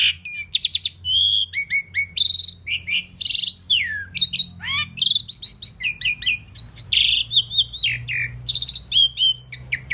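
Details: Indian pied myna known for talking, chattering nonstop: mixed whistled notes, quick chirps, downward slurs and rasping bursts over ten seconds, densely packed.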